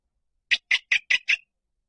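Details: Five evenly spaced, hoarse, clipped notes from a rail, played as a lure, each brief and harsh, about five per second.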